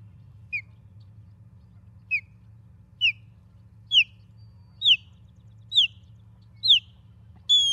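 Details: Osprey calling at a Charlo, Montana nest, filmed by a live camera on the morning of 23 August 2023: thin whistled downslurred notes repeated roughly once a second, rising in pitch and loudness through the series, with a faint low hum behind.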